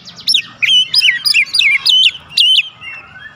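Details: Oriental magpie-robin song used as a lure to make other magpie-robins respond: loud, rapid run of whistled, slurred notes swooping up and down, with short gaps between bursts.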